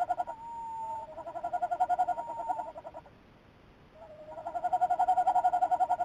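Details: Tawny owl heard on camera 2, 17 December 2018, giving fast pulsed tremolo bursts with a short steady tone at the start, a quiet pause of about a second, then a louder pulsed run.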